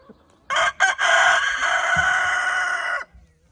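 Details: Rooster crowing on an evening among scratching hens he guards; one loud, prolonged crow with two short opening notes, then a held, even note lasting about two and a half seconds before stopping abruptly.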